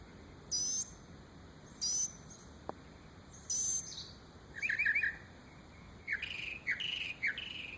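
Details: Bird imitating many different noises: short hissing, noisy bursts, then a cluster of quick chirped notes and a few rising squeaky calls, all high-pitched, against a quiet background.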